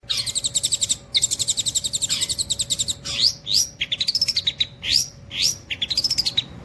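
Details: Long-tailed shrike song: long runs of fast, buzzy, high rattling notes, then short rising-and-falling whistled arcs repeated about twice a second, with a faint steady hum beneath.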